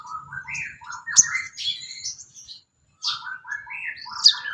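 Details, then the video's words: Song of the sooty-headed bulbul (sogon), meant as training material for songbirds: bubbly mid-pitched phrases with sharp high accents, a short silence, then another run of rising and falling notes. "MASTERAN BURUNG SOGON MATERI ISIAN"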